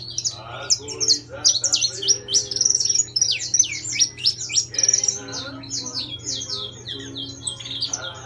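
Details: Captive saffron finch of intense yellow singing a dense, energetic series of high, sweeping chirps and buzzy notes, then looser spaced phrases, with a steady low hum behind.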